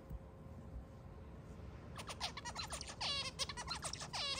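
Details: A white zebra finch, singing while playing with a person's hair, gives a rapid run of buzzy, nasal notes and harmonic-rich chirps after a quiet start.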